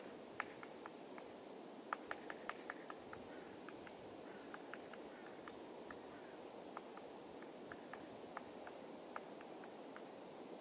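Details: A great spotted woodpecker (Dendrocopos major) on Tatyshev Island, Krasnoyarsk, on the Yenisei River, pecks dead trees for food in sharp, irregular knocks, roughly one or two a second, over a steady outdoor hiss.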